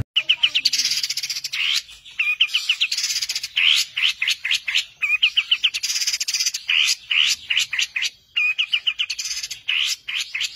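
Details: Long-tailed shrike, known locally as cendet, singing a 'tembakan' master song for training songbirds: rapid chattering series of sharp upslurred notes and repeated short chips, phrases divided by brief gaps.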